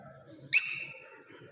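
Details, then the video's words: Lovebird parrot giving a single sharp, shrill chirp that starts abruptly and trails off over half a second, against faint low background noise. "Love bird parrot beautiful Chripping sounds voice"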